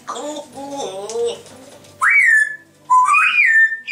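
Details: Two grey parrots chatter in wavering, voice-like tones, then give two clear whistles, each sliding up and leveling off high, in a small room.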